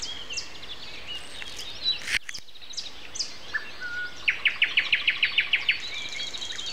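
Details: Common nightingale singing in the morning at 7:55 on Sunday, April 29, alongside other birds; scattered high chirps and whistles lead into a loud, fast series of about ten sharp repeated notes, with a brief crackle near the start.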